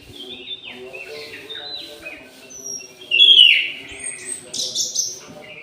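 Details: Orange-headed thrush in an aviary at midday, singing actively: a run of short high whistled and slurred notes, peaking in one loud sweeping phrase near the middle, over a constant low background hum.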